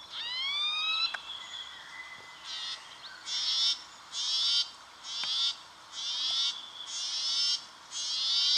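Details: Brown treecreeper calling in Victoria, Australia, in October 2011: a few rising whistled notes open, then a series of rapid, high, rattling trilled bursts, each about half a second long and repeated roughly every second.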